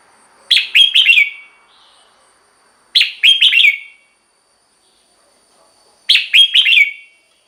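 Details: Red-whiskered bulbul song meant to excite caged birds: three matching phrases of four rapid, chirpy slurred notes, spaced about three seconds apart, in quiet surroundings.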